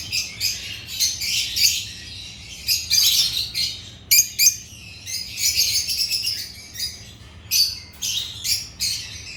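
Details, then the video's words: Several African lovebirds chattering in shrill, high chirps. The short bursts come unevenly, sometimes in fast runs and sometimes singly, with brief gaps between them. "Agapornis lovebirds chirping sounds"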